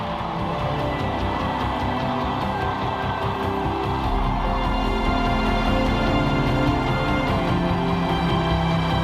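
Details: Loud, dense orchestral soundtrack music with a driving beat throughout, with no animal calls heard.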